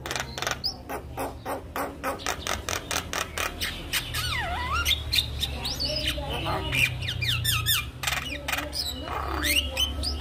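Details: Javan myna singing to stir silent mynas into song. A fast train of harsh clicks runs throughout, mixed with swooping whistles, descending slurs and squawky notes over a steady low hum.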